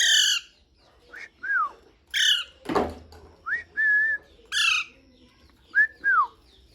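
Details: Parrot alternating harsh layered squawks with whistled notes: rising slurs, a level tone and an arched falling note, with a brief thump midway.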